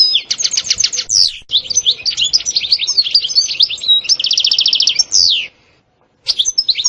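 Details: European goldfinch song with sitsata and batbata phrases, called very stimulating: fast high buzzy trills of repeated notes, sharp downslurred whistles and twittering, a brief pause, then renewed twitter.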